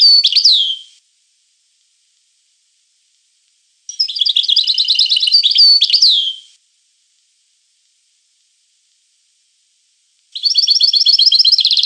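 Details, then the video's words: Three European goldfinch song phrases: rapid tinkling twitters with down-slurred whistles, the last a fast regular trill, each lasting one to three seconds with silent pauses between. "The Goldfinch , chant de Chardonneret"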